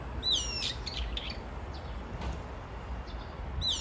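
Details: A brown-eared bulbul calls for its mate with a short, sharp, falling squeal near the start and another at the end, heard over constant low-pitched background noise.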